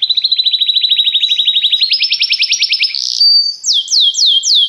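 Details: Belgian canary singing a popular song to stimulate other canaries: a long rapid trill that jumps higher halfway, a brief buzzy note, then four repeated downslurred whistles.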